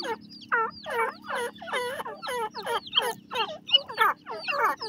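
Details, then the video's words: Francolin mother with her chicks: repeated, descending, nasal notes, about two per second, each with layered overtones. Faint high chirps sound between them over a constant low hum. "teetar madi bachay ki boli day rahe ha,francolin bird famliy"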